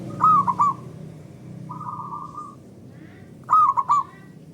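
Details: Loud local zebra dove song used as a lure for other doves, birds answering each other: two rolling three-note coo phrases about three seconds apart, with a softer, flat coo from another dove between them.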